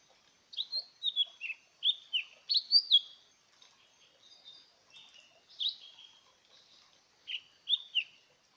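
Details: Lesser green leafbird, a small green bird kept as a decoy, singing bursts of sharp, bright chirps and short downslurred whistles, grouped in quick runs with brief pauses and a quieter twittering stretch in the middle.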